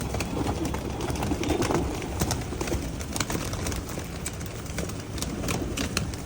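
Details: A flock of pigeons being fed coos in soft, low murmurs beneath a steady patter of sharp pecking clicks and fluttering wing rustles.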